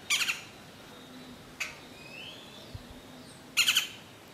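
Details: A juvenile Bronzed Cowbird at Tzununa, Lake Atitlán, Guatemala, gives two harsh, rasping bursts of about three quick notes each, a few seconds apart; a Great-tailed Grackle adds a sharp click and thin rising whistle between them.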